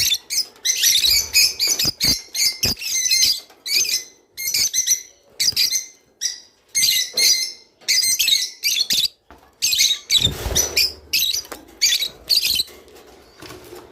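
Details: Java sparrow song played to get birds to mate: a long, lively sequence of rapid, high, clicking and tinkling phrases, each lasting under a second, repeated steadily with brief pauses and a soft thump near the end.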